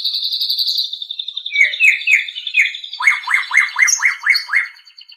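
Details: White-rumped shama song for training kept birds: a sustained trilling whistle gives way to clipped slurred notes, then a quick, regular series of about seven loud downward-swept notes, fading at the end.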